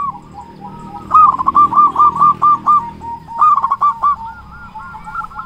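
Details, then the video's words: Loud local zebra dove recorded to draw quiet doves into song and raise their breeding drive. Rapid, bubbling coo notes come in two energetic runs, with softer cooing between them and a low background rumble. "Perkutut lokal gacor suara besar Pancingan burung perkutut agar cepat bunyi"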